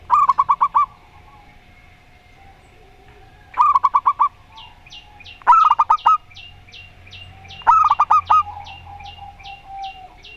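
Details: Local zebra doves trade four quick bursts of staccato cooing in Rondo Semoyo style against an odd-voiced rival. A high, thin chirp repeats steadily in the background during the second half.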